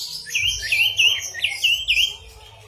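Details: Orange-headed thrush giving a short series of six wavering whistled notes, repeated quickly at an even pace over a faint low hum.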